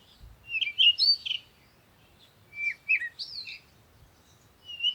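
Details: At sunrise, birds give clear whistled chirps, some sliding up and down, in two groups divided by a pause, with a last sharp note at the end and faint low noise beneath.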